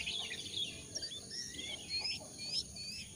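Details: Jongkangan sound used to coax newly caught or wild birds into calling: rapid high twitters and short upswept whistles tumbling over one another, fairly continuous, with steady background hiss.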